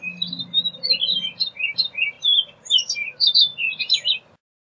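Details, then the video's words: Continuous orchard oriole song of varied, bright whistled and slurred notes, delivered rapidly for over four seconds over a steady low humming background. "Orchard Oriole Bird Singing, Calling, Chirping, Sound - Calandria Castaña Canto - Icterus Spurius"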